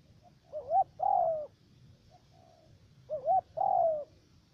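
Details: Decoy spotted dove with a three-note voice, trapping in Khánh Hòa commune, U Minh, Cà Mau, Vietnam. Two phrases of wavy short coo plus long falling coo, with soft faint notes in the pause between them.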